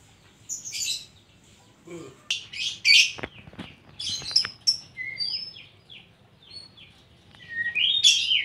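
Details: Kacer, the Oriental magpie-robin, singing 'isian koslet': scratchy, buzzy bursts alternating with thin, sweet whistled notes and a few clicks, varied and irregular over several seconds.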